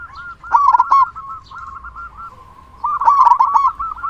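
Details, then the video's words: Loud local zebra dove, used to rouse other doves to sing; two bursts of fast, stuttering cooing separated by lower, softer rolling coos. "Perkutut Lokal Gacor Suara Besar Pancingan Burung Perkutut Agar Cepat Bunyi"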